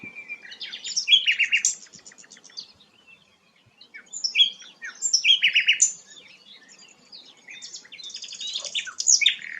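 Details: Rare sikatan londo flycatcher singing in bursts of high, scratchy chirps and rapid buzzy trills, with short pauses between phrases and a fuller burst near the end.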